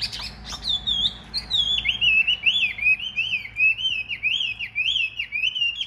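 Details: Caged Chinese hwamei of large build, a spread-feather fighting bird, pours out loud clear whistled song: looping, up-and-down slurred notes repeated in fast succession with little background noise.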